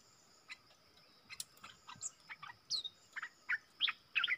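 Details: Wild bulbul from the south singing back at a caged lure bird, keeping its distance: scattered chirps that grow louder and faster, with sharp upslurred notes near the end over a faint steady whine.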